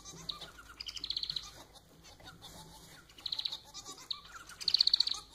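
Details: Society finch (manon) kept as a pet sings continuously: dense, buzzy, harmonic-rich phrases with rapid pulsed rattles, three main bursts within a few seconds, closely recorded and clear.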